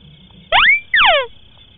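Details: Single white-browed crake call from a lure recording for hunting in swamps and rice fields: a quick rising note holding as a pure whistle, then a harsher descending note, over a steady high hum.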